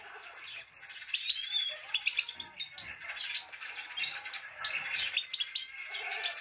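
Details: Himalayan goldfinch female calling to stir up males, known as 'pit pit tak': steady stream of high, thin chirps and short twittering notes, fairly quiet and continuous throughout.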